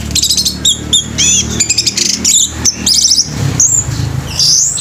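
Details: Full-speed song of an orange-headed thrush with tail spread, bowing: quick runs of high whistles, trills and buzzy chirps, ending in a drawn-out sweeping note, with a faint low hum.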